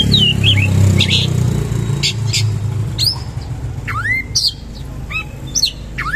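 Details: Oriental magpie-robin singing with rolling bursts and rich fill. Loud low rumbling noise fills the opening, then clear rising whistled sweeps and short chirps follow about every half second.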